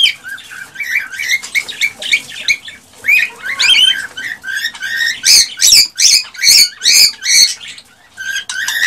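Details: Excited male cockatiel song to stimulate a female to mate: continuous busy chatter of chirps and warbles, then a rapid series of loud harsh notes repeated about twice a second.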